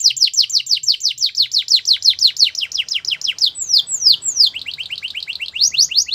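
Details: Caged Belgian canary singing to prompt other canaries: a rapid rolling trill of sharp downward-sweeping notes, broken by two long slurred whistles before the quick trill returns.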